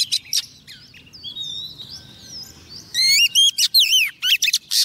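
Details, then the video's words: Female Oriental magpie-robin, a decoy bird, singing to call a male; the recording is used to stir males to sing and for trapping. Soft thin warbles first, then loud clear whistled notes sweeping up and down in quick bursts. "Choè than mái mồi hót gọi trống"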